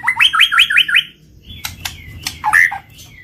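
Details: White-rumped shama lure song: five quick upswept whistled notes in a row, then a pause and scattered clicks and a short warbled whistle.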